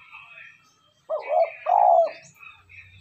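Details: Spotted dove cooing as a lure to stir wild doves: two low, hooting coo notes in quick succession mid-clip, with faint higher chirps of other birds around them.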